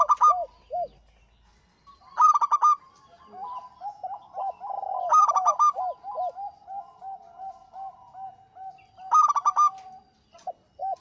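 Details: Actively singing local zebra dove used as a prompt for other doves: four bright staccato bursts of rapid notes about every three seconds, with a steady string of low bowed cooing notes in between.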